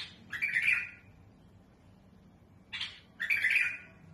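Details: Two short bursts of a domestic bulbul's harsh, raspy song, each a chattering phrase about half a second long, separated by a quiet pause; described as a smooth, tame bird with a rough voice used for training young birds.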